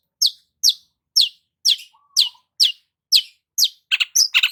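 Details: Long-tailed shrike sunbathing in the morning gives a run of sharp, high downward-slurred chirps about twice a second, ending in a quicker burst of scratchy, clustered notes.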